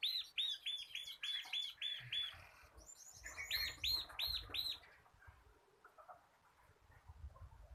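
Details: Rapid ngebren-style song of a local kristal kapas bar-winged prinia, a tutor recording for cage birds: a long fast string of bright arched chips, a brief break, then four louder notes before the song fades into background noise.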